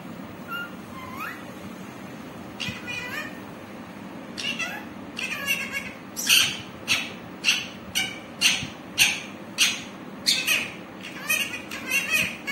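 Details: Green parrot giving harsh, rasping squawks that grow louder and repeat at a fairly steady pace, nearly two per second, after a few softer scattered calls at the start; steady background hiss.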